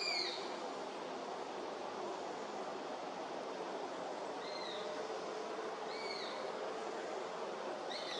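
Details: Juvenile Eurasian sparrowhawk begging at Beemdkant, Wijnegem, 11 August 2021; a few high, drawn-out squealing calls with a downward slur, spaced irregularly, against constant broadband hiss.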